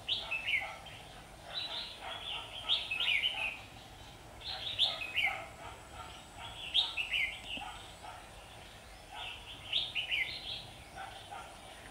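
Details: Red-whiskered bulbuls fighting at a trap on 27 September 2019; lively competitive song of bubbly, slurred whistled phrases, repeated roughly every two seconds in four clear bouts.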